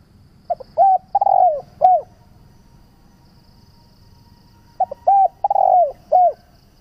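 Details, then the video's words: Spotted dove call used to lure doves and train them to call: a phrase of short soft coos, then a long drawn coo that slides downward and a final short note, with the phrase repeated about four seconds later over a faint hum. "Tiếng chim cu gáy gọi"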